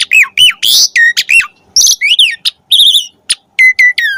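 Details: Lively, varied song of an Asian pied starling (jalak suren): clear slurred whistles, falling and rising notes, buzzy trills and warbled phrases delivered in quick bursts with short pauses between them.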